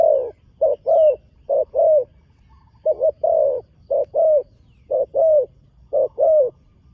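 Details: First competition-ground outing for a young trained spotted dove: steady series of paired coos, each a short note then a longer falling one, about seven pairs, with faint low background rumble.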